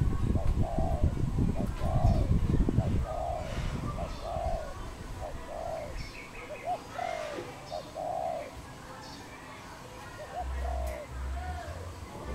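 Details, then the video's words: Wild dove recorded in Cambodia on 23 April 2020, giving long runs of low, mellow coos in a fairly even rhythm, about four per second, over rustling noise at first, with faint higher twitters from other birds and a low hum near the end. "សត្វលលក | Dove, นกเขา, Bồ câu"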